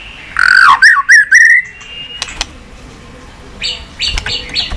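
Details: Brief White-rumped shama song phrase for stimulating pet shamas: a few loud slurred whistles rising and falling. Then near silence with faint clicks and some scattered higher notes.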